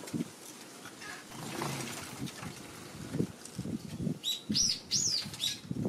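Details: Eurasian tree sparrows in the afternoon of March 16, wary of a Godzilla figure placed near their feeding spot; several clear, high, arching chirps come late in the clip, over soft low thumps and pattering.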